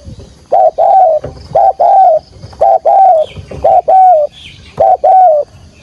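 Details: Repeated 'thúc gù' urging coos from a spotted dove decoy in field-voice style, for trapping wild doves: loud mellow notes in pairs, a short coo then a longer falling one, about once a second, with faint high insect sounds.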